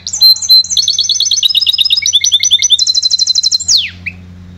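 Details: Trained goldfinch hybrid from 2011 singing a rich, high twittering phrase: chirps leading into long runs of rapid repeated notes and trills, closing with a sharp descending slur, over a steady low hum.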